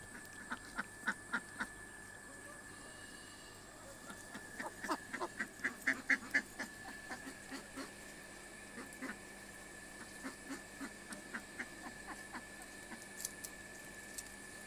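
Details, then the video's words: Domestic house ducks returning home at the end of the day, giving a long series of short harsh quacks in bursts, some rapid runs of several calls, over a steady background hum. "Duck sounds"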